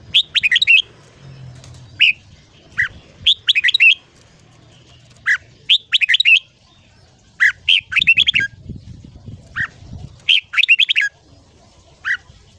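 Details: Red-whiskered bulbul morning song in the ché style, used for voice training to stimulate young birds to sing long phrases: short bursts of three to five quick, bright warbled notes, repeated every one to two seconds over a faint low rumble.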